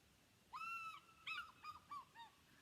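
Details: An eagle, black, white and yellow with yellow feet, found around neighbourhoods or aviaries, gives a high, thin half-second whistle, then four shorter, slightly falling piping notes over a quiet background.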